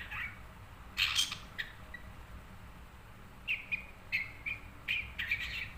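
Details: Long-tailed shrike (cendet) held as a kept bird, uttering a loud raspy burst early, then short, sharp, buzzy notes repeated roughly every half second toward the close, over quiet low rumble.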